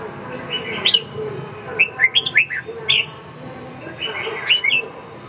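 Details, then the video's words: Red-whiskered bulbul song in two or three brief phrases of chirpy, slurred whistled notes, separated by short quiet gaps, with a low hum behind. "Kênh về chim Chào mào"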